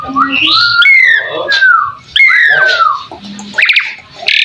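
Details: Asian pied starling singing as a master tutor bird: loud falling whistled slurs mixed with lower warbling notes and short harsh chatters, a brief pause, then fast rising trills.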